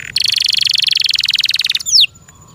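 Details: Kept canary delivering a dense, buzzy rolling trill for nearly two seconds, followed by a quick high note sweeping steeply downward.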